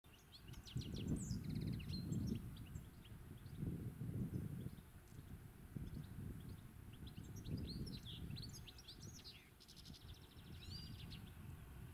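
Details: European goldfinch singing in spring, recorded live: rapid twittering of short high chirps and buzzy trills in loose bursts, set against a steady low rumble of wind or distant noise.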